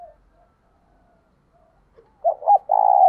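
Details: Decoy spotted dove cooing in the urging 'gáy thúc sung' style used to rouse wild doves. Faint murmurs give way to a loud low hooting phrase: two short coos, then a long sustained coo near the end.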